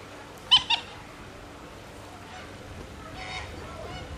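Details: A demoiselle crane at Slimbridge gives a quick, harsh double honk, followed a few seconds later by a fainter, hoarser call against a quiet background.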